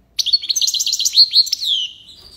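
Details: European goldfinch (maqnin or hassoun) singing in the tiwawati and lipasad song styles: a rapid burst of bright, twittering high notes rising and falling, ending in a long downslurred whistle that fades out.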